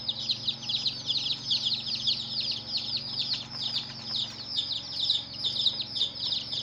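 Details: A group of hen's baby chicks calls incessantly, dense high falling peeps merging into a shimmering chorus, with a few soft taps and low background hum.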